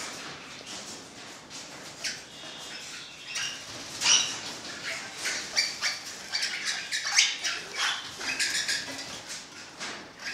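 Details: Parakeets in an orange-blue fallow pennant colour form keep up a rapid, scratchy chatter of short squeaky calls and rasping bursts, growing denser and louder in the second half.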